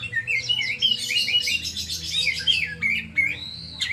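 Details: Oriental magpie-robin, a kept songbird, singing a rapid varied song of whistled, warbling and chattering notes, many sliding phrases with some harsh squawky elements, ending in a long rising-falling whistle; faint low room hum beneath.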